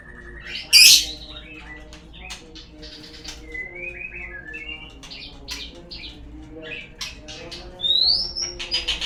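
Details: White-rumped shama lure song to coax birds into singing: a loud sharp opening note, then scattered fluty whistles and short slurred phrases, ending with a rising whistle and a cluster of chirps.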